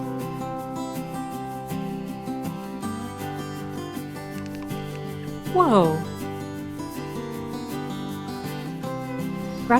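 Steady instrumental music plays throughout, with a brief falling vocal sweep near the middle and no clear animal calls.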